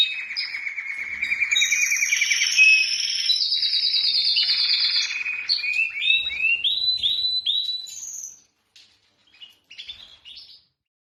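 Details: Singing male canary, keyed up for mating: varied tours of high and middle-pitched rapid trills, then a run of separate short clipped notes, fading to a few sparse quiet notes and silence.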